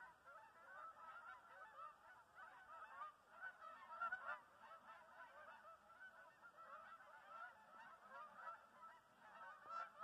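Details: Flock of Canada geese on migration, honking constantly; many overlapping nasal honks swell and fade in loudness throughout, forming a busy, unbroken chorus.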